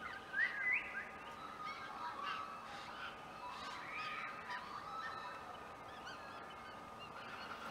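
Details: White-winged choughs (Corcorax melanorhamphos) nest building in Clunes, Victoria, 27 September 2021: a couple of clear rising whistles, then a run of rasping, nasal calls from several birds over a faint steady hum.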